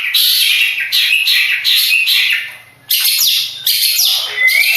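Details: Champion Madura long-tailed shrike singing grating, high chattering phrases in bursts, a short silence midway, then more scratchy sweeps and a thin rising whistle at the end.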